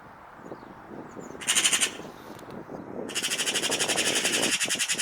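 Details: Eurasian magpie with a short harsh rattle followed by a longer, steady, grating chatter of rapid repeated clacks lasting about two seconds, over a low background rumble.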